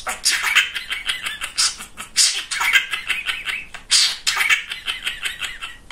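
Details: Chatty male pet budgerigar producing dense, fast speech-like babble mixed with buzzy warbles and sharp clicks, with brief pauses between bursts.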